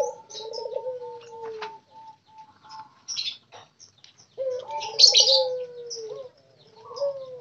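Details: Captive spotted doves kept together in a group during daily care. Low, smooth cooing notes slide gently downward, two long phrases a few seconds apart, while sharp high chirps and tweets from other small birds and a brief wing flutter sound over them.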